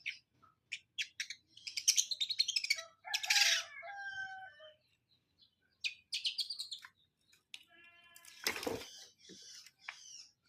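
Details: Cendet, the long-tailed shrike, from Indonesia giving fast chattering series and rough harsh notes mixed with short whistled tones, broken by pauses and one sharp loud crack late on.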